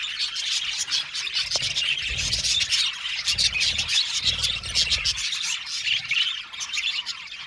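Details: A crowded aviary of budgerigars produces an unbroken stream of chirps and chittering warbles, many birds overlapping, with a faint low thump partway through.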